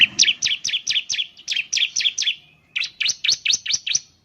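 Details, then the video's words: Ciblek (Bar-winged Prinia) singing as a lure to set other birds off: three quick runs of loud, piercing, downslurred chirps, each run of five to six notes with short gaps between. Otherwise quiet. "Suwara Burung Ciblek || Ciblek bird lures, the sound of the gacor immediately picks up"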